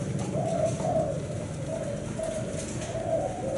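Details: Spotted dove of the Thai black-spotted type giving its seven-note 'bảy sị' song, gentle wavering coos in short bursts separated by quieter moments, with a persistent low hum beneath.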